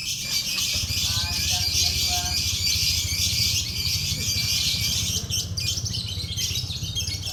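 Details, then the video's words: Night-time lovebird singing contest, with an unbroken wall of shrill, rapid, high chattering and twittering from the birds, low rumbling crowd noise underneath and brief harmonic voice-like sounds early on. "Lomba burung love bird malam hari"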